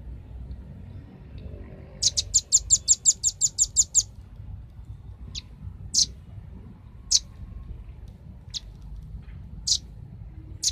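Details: Velvet-fronted Nuthatch used as a lure and training call, giving a rapid run of about ten sharp, high chips, followed by single high notes spaced a second or so apart.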